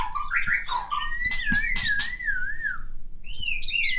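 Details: A white-rumped shama from Medan sings fast mixed notes, then a long, smooth, wavering whistle that slides gently up and down, ending in bright high rising slurs. Clattering thumps sound in the background.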